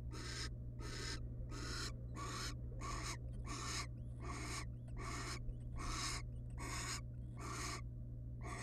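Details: Barn owls, wild, in a research-monitored nest box while the family rests together; a rapid run of about a dozen rasping, snore-like hisses, each near half a second, almost back to back, with constant low hum beneath.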